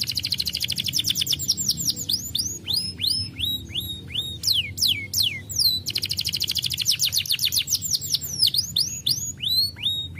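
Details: Starblue canary singing steadily, used as a lure to get lazy canaries singing; fast repeated high chirps alternate with swooping, downward-slurred whistles and rapid trills, with a low hum underneath.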